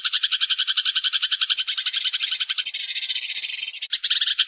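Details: Sparrow flock call used as a trapping lure: rhythmic, evenly spaced chirps at first, then a denser, blended chatter of many birds.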